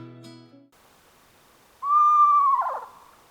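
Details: Eastern Screech-Owl, a small owl of Tellico Village that is more often heard than seen, gives a single steady, high, tremulous whistled whinny that quavers and falls away at the end, after a brief low hum.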